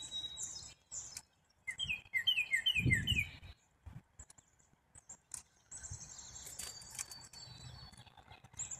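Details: Black-capped chickadee calling with a quick run of short, descending mid-pitched notes and scattered very high chips, over background noise with low thumps and a steady hiss in the latter half.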